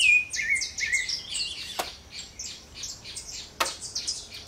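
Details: Rufous-bellied thrush singing free in a backyard: a quick run of varied whistled and warbled notes, some high and slurred, delivered in rapid succession, with a couple of sharp clicks and steady background hiss.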